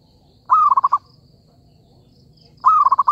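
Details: Zebra dove lure call used for trapping, two phrases two seconds apart, each a smooth opening coo followed by a fast rattle of four or five soft pulses, faint high bird chirps behind.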